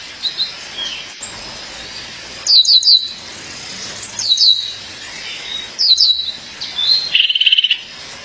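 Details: A female violaceous euphonia calls her partner with clusters of three quick, high, downslurred chirps repeated every one to two seconds, ending in a fast buzzy rattling trill.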